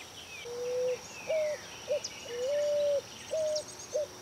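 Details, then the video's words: Pigeon or cuckoo, 2018: a pattern of a long level whistle, a shorter higher whistle and a brief clipped note, given twice, with a faint falling whistle from another bird behind. "Cantos y gritos de aves Familias Columbidae y Cuculidae"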